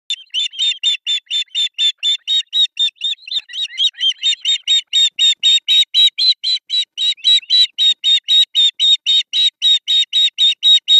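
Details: Three osprey chicks at an artificial nest in Pohjois Satakunta, Finland, begging during breakfast feeding on July 1, 2024, filmed by a nest camera. Loud, high, sharp chirps repeat steadily about four times a second for the whole stretch.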